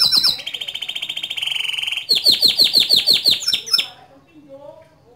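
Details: White canary singing loudly and vigorously: a rapid buzzy trill slides into a sustained high rolling note, then a run of quick descending whistled sweeps repeated about three per second, ending abruptly with faint soft notes after.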